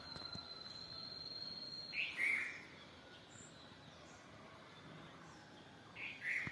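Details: Bulbul singing: two short bubbly, liquid phrases about four seconds apart, each a quick warbled burst, over quiet rural background hiss with a faint steady high tone early on.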